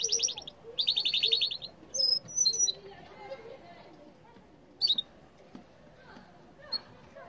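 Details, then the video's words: Yellow canary giving rapid buzzy rattles followed by scattered high chirps and thin whistles, the phrases spaced by pauses over a faint indoor background. "canari jaune chant 💛💛💖/غناء طير الكناري💛💛💖"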